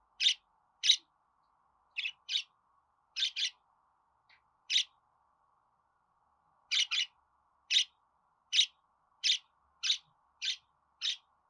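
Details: Crisp single and paired budgerigar chirps repeat roughly every half second to second, all evenly bright, over a faint background hum.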